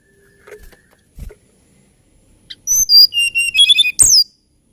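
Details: Quiet soft knocks, then a hill blue flycatcher's lilting song: a string of short high whistles descending in pitch, ending in a sharp, sweeping high note.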